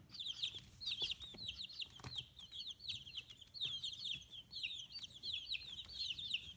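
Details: Young domestic chicks at fifteen days, feathers coming in, free-range in Kitahiroshima, Japan; continuous rapid high cheeping in waves of many birds, with occasional knocks and a soft flutter.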